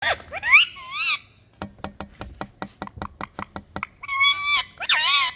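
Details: A pet green rose-ringed (ringneck) parakeet gives harsh, screechy calls that swoop up and down, with a quick run of about a dozen sharp clicks in between.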